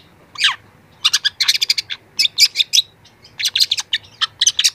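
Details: Long-tailed shrike, a young bird singing a training song: a single downslurred whistle, then bursts of rapid, high, scratchy chirps grouped in short clusters with brief pauses between them.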